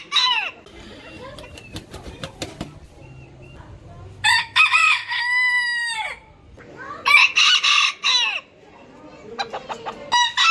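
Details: Rooster crowing from a set of varied roosters: a prolonged, steady harmonic crow with a falling close, then a broken run of choppy crow phrases. Clicks and low background noise are heard between them.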